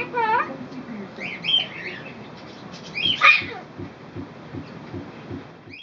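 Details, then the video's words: A Goffin's cockatoo talks in short, scratchy, speech-like phrases with a few whistled notes, the loudest burst near the middle, over a low background hum. "Goffin Cockatoo talks"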